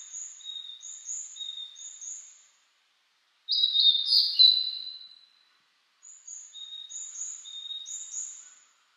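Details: Blue-and-white flycatcher in mountain spring woodland after rain, cloudy, 14°C; a loud slurred whistled phrase in the middle, framed by another bird's repeated high paired notes before and after.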